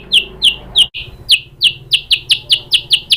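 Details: White-rumped shama lure song, played to make another shama answer and sing energetically, showing its filler repertoire: a run of about twelve sharp, high, downslurred chirps in quick succession, briefly broken by a short gap.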